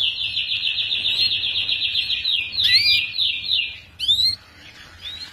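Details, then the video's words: Young canary singing, recorded as tutor song for young canaries housed together in a group cage: a long, fast, even rolling trill for about three seconds, then bright rising sweeps and short chirps, with a quiet low hum beneath. "Kicauan Kenari Paud Untuk Pemasteran Kenari Muda Ombyokan Agar Cepat Bunyi!"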